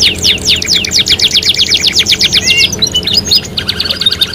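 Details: Canary song used as a lure to stimulate singing in other canaries: fast rattling trills of steep descending notes, about four per second, then varied whistled and chattering phrases, with a steady low hum underneath.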